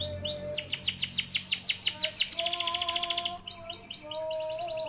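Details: Canary song recorded as a master track to train other birds: a fast run of high descending sweeps, then a dry buzzing rattle, then sharp chipping notes, over steady low tones in the background.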